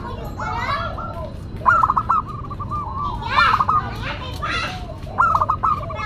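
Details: Zebra dove of a local strain with a classic, unique song, kept for luring and tutoring birds: three bursts of short, even cooing notes, each after a sharp rising start. Children's voices and softer dove phrases sound throughout.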